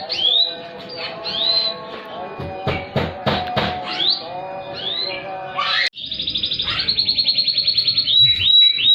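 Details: Canary singing to stimulate non-singing canaries: scattered rising whistles among sharp clicks and tones, then a long rapid pulsing trill with a final whistled note.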